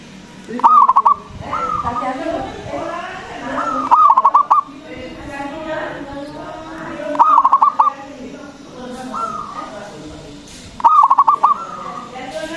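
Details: Local zebra dove in full song with a big voice, played as a lure to stir other doves to sing: four stuttering cooed phrases of quick pulsed notes, about every three seconds, with softer cooing between them.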